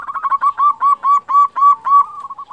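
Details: Local zebra dove calling to stir breeding mood and prompt rival doves to reply: a rapid run of about nine arched, bubbling coos at an even pace, each note rising and falling, ending in a softer trailing flutter.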